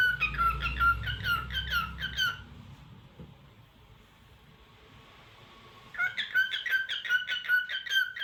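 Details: Cockatiel chattering indoors: a rapid run of buzzy, warbling chirps repeating about twice a second for two seconds, a quiet gap, then another similar burst; low rumbling background noise.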